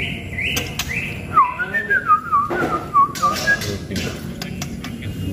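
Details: White-rumped shama described as a future contest champion, giving clear whistled notes that slide downward, delivered in a quick repeated series over about two seconds, with background hiss and a few clicks.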